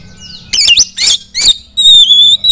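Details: Rasping, noisy bursts from a female Oriental magpie-robin end in a long clear level whistle, a call used to coax other magpie-robins into loud song.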